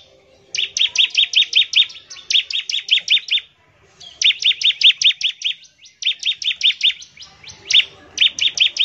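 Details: Bar-winged prinia song played to get other birds singing: rapid series of bright, high chirps in tight trains of six to eight notes, repeated with brief gaps, loud and clear.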